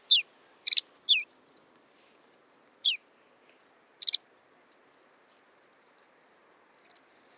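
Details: Lapland Longspur nocturnal migration flight calls: dry, rattling ticks alternating with a clear, falling 'tew' that superficially resembles Ortolan Bunting calls, in brief scattered bursts over a faint background hiss.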